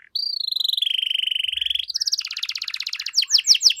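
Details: Canary song used to coax other canaries into responding: a long sustained trill gently falling in pitch, a louder faster rattle, then sharp sweeping chirps.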